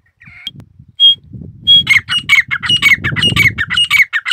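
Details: Grey partridge kept by the recordist, calling: after a few scattered notes, a fast run of harsh, grating, creaky notes repeated nearly twice a second, each with a squeaky upper edge, over faint low rumbling background.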